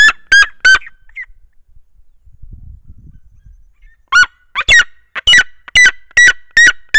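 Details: Mother Red-legged Seriema on her nest with a few-days-old chick, singing toward the camera: three loud yelps, a quiet gap, then a rapid run of about eight harsh, ringing yelping notes.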